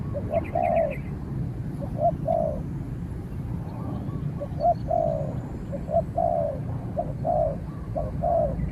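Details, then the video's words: Cooing from spotted doves as a trained decoy bird confronts a wary wild rival. Fainter hollow coo phrases repeat through a steady rural rumble, with a brief high twitter near the start. "เสียงนกเขาใหญ่ ต่อ นกเขาใหญ่"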